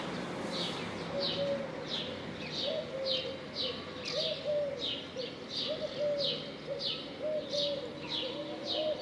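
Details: Dove cooing in soft, low, wavering phrases that rise and dip, strung together almost without pause, while other birds chirp higher and brighter about twice each second throughout.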